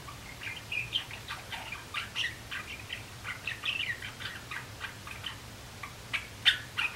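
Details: Three young male Java sparrows learning to sing, April 2016: continuous irregular chips and tinkling notes, roughly three per second, with a sharper bell-like note near the end over a constant low hum.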